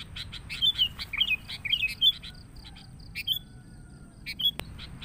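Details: Sooty-headed bulbul sounds used to attract the species: a tight cluster of warbled whistles and sharp chirps early on, then sparser single whistles and clicks.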